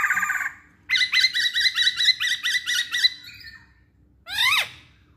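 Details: Masked laughingthrush singing as lure material for other birds: a fast series of rising whistled notes repeated about ten times, a pause, then a loud downward-sweeping harsh call.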